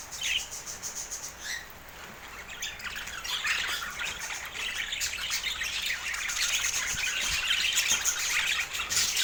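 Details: Budgerigar chatter: scattered short, high chirps and squawks over a steady noisy hiss, growing denser and busier toward the end.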